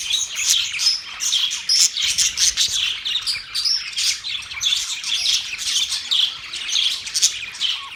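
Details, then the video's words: Several pet budgies chirping, sharp high notes coming in quick pulses about two or three a second, over a constant background of warbling chatter and occasional squawks. "Budgies singing | Budgies sounds | Budgies talking | Budgies chirping sounds"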